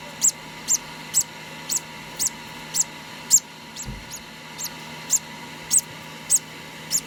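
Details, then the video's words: Hand-fed conure chick only two days old, uttering sharp high-pitched squeaks in a steady series, roughly two per second, over a low constant hum and a brief soft thump midway. "2 day old hand feeding conour parrot"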